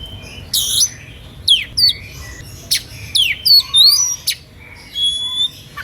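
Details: Oriental magpie-robin song described as emotional and able to draw rival magpie-robins into singing: a harsh buzzy burst, then quick downward-sweeping whistles, sharp chips and rising slurs, ending in a steady high whistled note.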